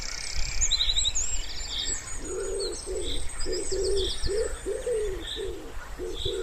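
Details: Wood pigeon by a spring pond: after a quiet start, low rounded coos follow one another about every half second, set against scattered high chirps and trills from other birds and a faint low rumble.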